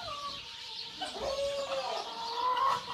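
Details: A white Indian peafowl (peacock) fanning its tail at a ranch in December 2014 gives soft, nasal, fowl-like calls: a drawn-out tone, then a rising, wavering note toward the end, over a steady background hiss.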